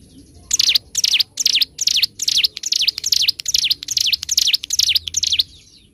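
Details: Bar-winged prinia singing in a master recording for training birds, in the ngebren and nembak styles: a run of eleven bright, high, sharply falling and rising chirped phrases, about two per second, over a quiet background.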